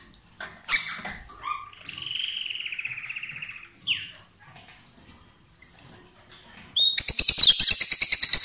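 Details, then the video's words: Paired lovebirds in loud song while billing or sharing food; a sharp chirp, then a buzzy rattling warble, a falling squeak, and finally a rapid, steady run of high clicking notes. "Gli inseparabili | 20minutes Love birds Sound"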